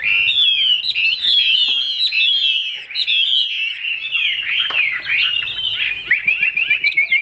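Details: Caged Chinese hwamei with a broad fig-leaf tail. It pours out a continuous, loud medley of high slurred whistles and twittering phrases, barely pausing, with some harsher notes near the end.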